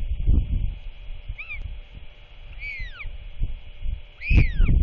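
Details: Royal albatross chick being fed by its father at nest just before dark, 27 March 2024; the chick is chatty. Several arched, whistled chirps, some falling, spaced irregularly over steady low wind rumble.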